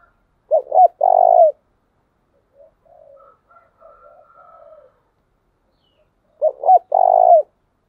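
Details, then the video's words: Decoy spotted dove cooing, its call used to stir up and train other doves. Two short hooting notes, then a longer mellow coo. The phrase repeats about six seconds later, with faint softer cooing in between. "tiếng chìm cu gáy mồi thúc bổi"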